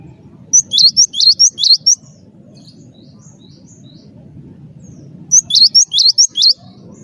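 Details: Cinereous tit of the wingko type, singing actively as a lure to prompt other birds to sing: two bursts of about five quick, high, upward-swept whistled notes, roughly four seconds apart, over a steady low rumbling background.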